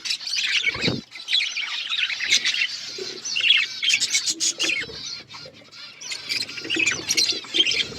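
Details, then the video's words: Budgerigars kept as pets, feeding on seeds; steady twittering chatter of short high chirps, one low thump near the start, and brief pauses between bursts. "My beautiful budgies eating seeds birds chirping sound"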